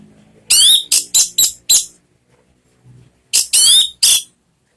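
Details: Orange-headed thrush lure song for coaxing a kept bird into singing: five quick, sharp, high slurred notes, a silent gap, then three more strident notes.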